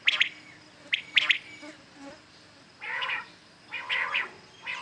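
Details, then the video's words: Common quails calling in the morning: sharp triple-noted calls in quick bursts, then softer, hoarse, lower double notes spaced about a second apart, over a faint steady hiss. "Today common quails calling"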